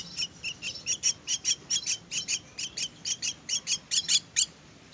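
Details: Myna chicks being fed, giving a steady run of harsh, raspy, buzzy begging notes, about two per second, each a short bright burst, continuing throughout with no other clear sounds.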